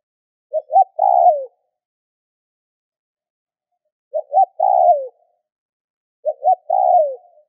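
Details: Spotted dove calling to stimulate other doves, three phrases spaced unevenly, the first followed by a long gap; each has two short coos and a longer descending one, clean and quiet background.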